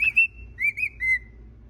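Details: A cockatiel sings from its little house, giving short, clear whistled notes that each gently rise and fall.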